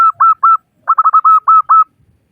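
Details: Female local zebra dove calling to attract males: short run of mellow cooing notes, three spaced coos, a pause, then a quick stutter and longer drawn coos, clean and quiet behind.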